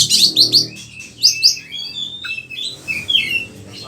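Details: A kacer (oriental magpie-robin) giving lively lure and tutor song for other kacer: a fast series of harsh high chattering notes, then slurred whistles and squeaky twitters over a low room hum.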